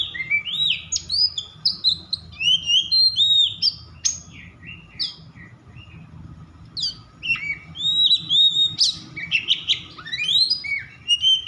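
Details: Agitated Oriental magpie-robin singing to stir rival magpie-robins into singing: a nearly continuous run of varied sharp whistles, rising and falling slurs and buzzy notes, broken by one brief pause midway.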